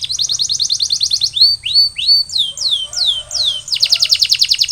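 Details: Canary song for post-molt recovery: a quick high rattle, then slow, loud swooping whistles that rise and fall one after another, closing with a fast bright trill.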